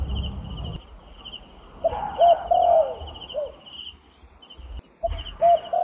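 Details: Wild turtle dove recorded in a trapping setting, giving short hoarse mid-pitched coos in two brief phrases, the second after a pause, over a steady high insect-like buzz and low rumbling noise.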